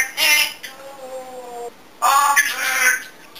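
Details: Talkative pet African grey parrot indoors: a harsh squawk leading into a steady, slightly falling tonal note, then a longer rough, voice-like squawking phrase.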